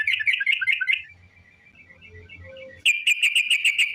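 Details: Sooty-headed bulbul long song used as a lure for other bulbuls: quick bubbly warbling, a quieter stretch with faint background notes and low hum, then a loud, evenly repeated trill.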